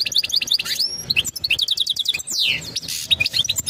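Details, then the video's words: Short burst of European goldfinch mating song meant to prepare the female: fast high twittering, buzzy notes and a rapid repeated series of chirps, with one long downward-slurred note. "تغريد الحسون نذاءات التزاوج لتجهيز أنثى الحسون"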